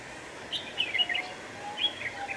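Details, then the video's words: Red-whiskered bulbul used as a lure for trapping wild bulbuls on a windy day, 26 November 2018; a quick run of bright, chirpy warbled notes, then a shorter second phrase, over steady wind rush. "Bẫy chào mào"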